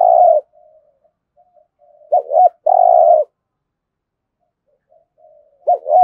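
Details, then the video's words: Spotted dove competition cooing in Đồng Nai: two short looping low notes, then a long, rough, buzzy coo. The phrase comes twice and a third begins, with faint soft coos in the pauses. "cu gáy thúc gù kinh thiên động địa vang cả xóm Đồng Nai, cu gáy gù đấu"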